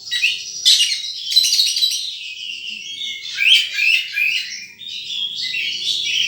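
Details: Wild sunbird calling with rapid high chirps, buzzy trilled bursts and thin descending slurs, in a steady twittering stream.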